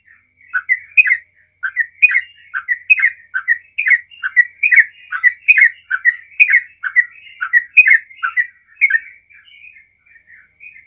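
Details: Trucukan giving continuous 'ropel' song, said to make other bulbuls join in: a long run of bubbly, squawky chirps at about two per second that fades into soft, thin notes near the end.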